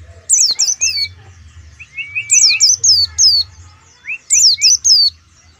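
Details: Oriental white-eye from Pemalang repeats three similar phrases about two seconds apart. Each phrase has a few low rising slurs, then a cluster of sharp, high, descending chirps, with a faint hum between phrases.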